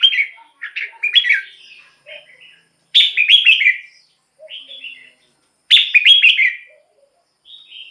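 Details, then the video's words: Red-whiskered bulbul song for use as a decoy or to excite birds: a jumble of short warbles, then loud rapid phrases about every two and a half seconds, interspersed with soft brief notes. "เสียงนกกรงหัวจุก สำหรับต่อ หรือ เปิดให้นกคึก"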